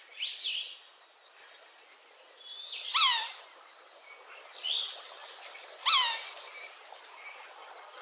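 A red-naped sapsucker gives two loud, nasal, downward-slurred squeals about three seconds apart, mixed with softer mewing notes, over a faint outdoor hiss.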